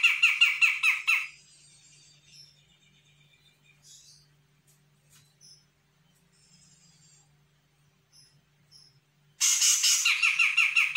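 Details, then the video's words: Young Sumatran grey-cheeked bulbul responding to a lure recording. Fast, grating chatter for about a second, then near silence with a few faint squeaks. A second burst of loud, rapid, rasping notes follows near the end. A steady low hum runs underneath. "CUCAK JENGGOT SUMATRA GACOR - CJM BAKALAN AUTO NYAHUT"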